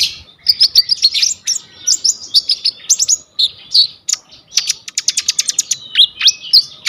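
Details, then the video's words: Energetic song of a purple-throated sunbird (kolibri ninja) used to tutor birds, recorded on a vivo Y21: rapid high twittering, short downward-slurred whistles and clicking chips in fast rhythmic runs. "KONIN GEACOR FULL ISIAN 99% COCOK BUAT MASTERAN KOLIBRI NINJA TROTOL/IJOAN"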